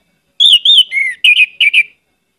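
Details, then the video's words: Orange-headed thrush in lively song, a short phrase of clear slurred whistles, two drawn out, then a quick pair of warbled notes, in quiet surroundings. "pancinagan anis merah gcor banyak isian"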